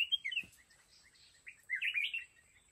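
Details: Red-whiskered bulbul acting as a trap decoy to lure wild mountain bulbuls, with a quick slurred note, a pause of scattered soft chirps, then a louder run of bright rising and falling warbles.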